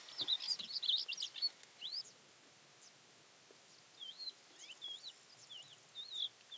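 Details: A Thekla's lark (Galerida theklae) near Castro Verde, Alentejo, Portugal, on 12 April 2017 sings a high, varied run of twittering notes and fluty slurred whistles in short bursts, with quiet gaps between phrases.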